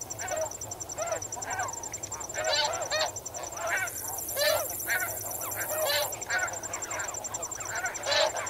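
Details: A flock of snow geese, swimming and wading in water, gives a constant chorus of overlapping, irregular nasal yelping honks over a steady high trill of crickets.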